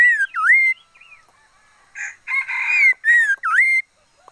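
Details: Red-faced liocichla decoy bird singing loud whistled phrases that swoop down and back up, with a brief rough, noisy burst mixed in midway through.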